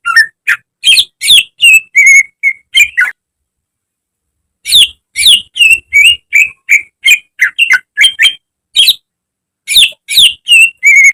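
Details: Training recording of a caged greater green leafbird: lively, irregular bursts of sharp chirps and clear whistles, broken by a pause of about two seconds, the notes changing from one to the next.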